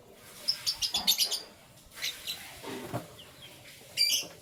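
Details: Canary in the morning: a quick run of six or seven high sharp notes, then softer scattered chirps and one loud closing burst.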